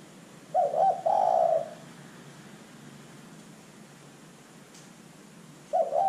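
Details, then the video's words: Lure recording of a spotted dove: one full low coo phrase of quick broken notes and a drawn-out burry ending, then a long pause before the next phrase begins, with soft background hiss. "LANGSUNG IKUT BUNYI dengan pancingan terkukur GACOR ini"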